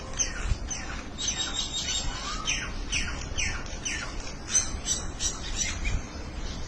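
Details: A group of birds exchanging calls, heard as bursts of fast, high, downward-sweeping chirps repeated in clusters, with a few low thumps and a faint background rumble.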